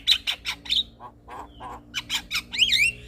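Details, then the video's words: Male Javan myna song used to lure other mynas: rasping clicks and squawks, a brief pause, then harsh bursts ending in bright twisting whistled slurs. "Ocehan Jalak Kebo Jantan Ini Pasti Langsung Respon"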